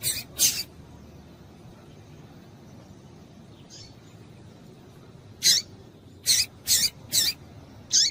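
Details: Calls of a female double-collared seedeater, meant to rouse males. Two quick high notes, a long pause with one faint note, then a run of five sharp, hissy chips close together.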